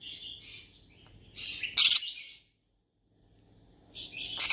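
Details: Calling yellow-sided conure after company to talk to: buzzy chirps build into a loud rasping squawk, a pause, then another harsh call.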